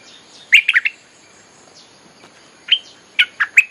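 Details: A bulbul's lure song for calling wild birds, a quick group of three to four warbled notes, a pause, then a single rising note and another short bubbly run.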